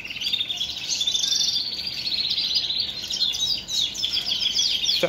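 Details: Caged male Shirazi canary in full song, ready to breed and fluttering its wings in courtship, recorded in Baghdad, Iraq: a continuous rapid warbling of rolling trills and high twittering notes over steady background hiss.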